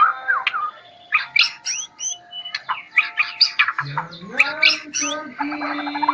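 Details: White-rumped shama of the Medan type, bowing as it sings, gives a rich medley of sharp chirps, swooping whistles and rattles, with a low steady hum rising behind the later notes and a final buzzy rattle.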